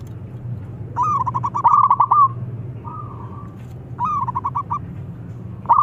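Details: Singing local zebra dove, played as a lure for silent doves: a rising opening note leading into a rapid bubbling trill, a brief soft hum, then another trilled phrase, over a low background drone.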